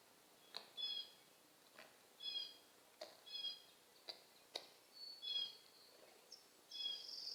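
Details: Very hungry young blue jay begging, giving short nasal, harmonic calls about once a second, some doubled, with sharp clicks between them against a quiet background.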